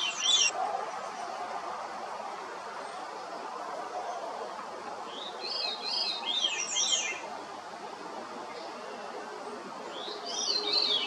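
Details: Veery song phrases: liquid, echoing notes cascading downward in a spiral, heard at the start, in the middle and at the end, with a low background hiss between them.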